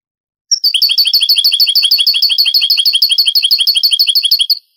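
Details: From an old Spanish cassette of Granada-pattern goldfinch song, 1980s-90s: a four-second burst of quick repeated bright notes, high and evenly spaced, starting after half a second of quiet and stopping cleanly.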